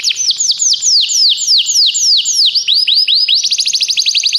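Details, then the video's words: Song of a canary, recorded for training canaries: slow swooping down-slurred notes that speed up into a fast, tight trill. "O melhor canário canário para treinar seu canário"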